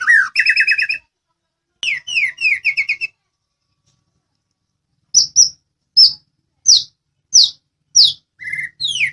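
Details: Medan white-rumped shama singing loudly as a training recording for other songbirds: two bursts of fast whistled trills, a long pause, then single sharp high whistles spaced under a second apart.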